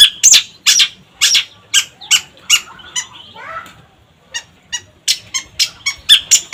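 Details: Long-tailed shrike singing vigorously. Loud scratchy chips in quick succession, a short soft warbling passage with a near-quiet pause, then a fresh run of sharp repeated notes.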